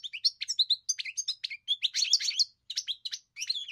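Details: European goldfinch delivering a continuous, lively twittering song of quick chirps, trills and slurred notes, with one short pause; nothing else audible.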